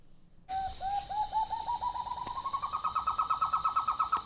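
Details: A White-throated Nightjar recorded from a bedroom window in the Northern Rivers area of New South Wales, Australia, gives a fast series of yelping, rising notes that climb in pitch and speed up into a bubbling laugh-like run.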